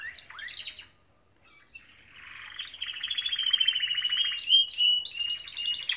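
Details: Canaries singing in the morning: a few quick chirps, a brief silence, then a swelling buzzy trill topped by sharp repeated high notes.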